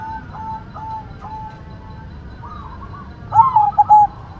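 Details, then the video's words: White zebra dove song: soft, distant-sounding coos at first, then a loud, clear phrase near the end with a rolled opening note and two short, bell-like coos. "Perkutut Putih Gacor Suara Mantul"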